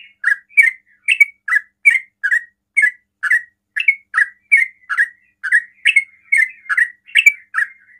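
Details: Sooty-headed bulbul delivering rapid 'ropel' song to tempt other bulbuls into replying: around seventeen loud, warbling slurred notes over eight seconds, evenly paced with no other sounds.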